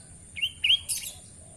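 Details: Tame sooty-headed bulbul giving two short clear whistled notes, each rising slightly then level, followed by a brighter, higher chattering burst; quiet background otherwise.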